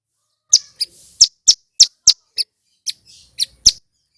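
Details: Loud, clear singing male Bar-winged prinia, played to trigger untrained caught birds into calling: crisp high chirps repeated roughly every quarter second, some doubled, in a steady series.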